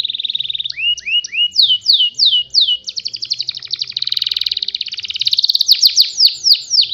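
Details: Canary song meant for canaries to copy: starts on a steady buzzy note, then short upward sweeps, slow swooping whistles, a long rapid rattling trill, and quick repeated slurs to the end.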